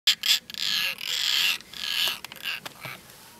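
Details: European roller during courtship gives harsh, rasping, crow-like calls in a quick, uneven series of about five bursts, some drawn out, with nothing else clear behind them.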